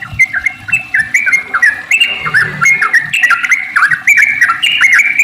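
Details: Sooty-headed bulbul in long, rapid 'ropel panjang' chattering song, used as a lure to get other bulbuls singing; layered bubbly whistled phrases dip and rise without pause, with faint low rumbling beneath.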